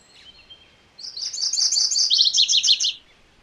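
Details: MacGillivray's warbler singing one fast phrase of high, clipped, repeated notes that drops into a lower, slightly buzzy ending. A faint thin whistle comes before it, over light background hiss.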